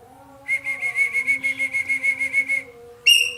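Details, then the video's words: Roller, locally called ekek keling, singing loudly: a long run of quick, evenly spaced whistled pulses lasting about two seconds, then one sharp, bright falling note. "burung ekek Keling gacor nembak"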